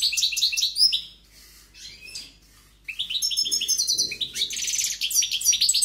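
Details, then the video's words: Caged European goldfinch singing forcefully: a twittering burst, a short lull with soft notes, then a renewed rush of chirps and dry buzzy trills to the end. "JILGUERO CANTANDO"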